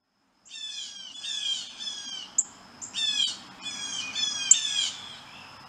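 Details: Blue jays arriving at a birdbath give harsh, raspy, downslurred calls in quick bursts, about five in as many seconds, with a couple of sharp clicks between.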